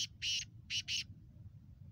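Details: Black francolin (Kala Teetar), voice style described as speeder, Sheedi cross, nasal Chakri Wala: a short harsh opening note, then three loud grating, buzzy notes, the first long and the last two closely paired, over low background rumble.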